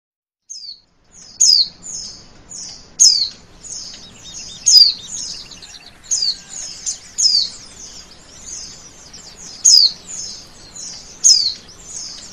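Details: Male oriental white-eye singing: high thin twittering phrases of rapid descending chirps, repeated in bursts roughly every second or two over about twelve seconds, with a quiet background.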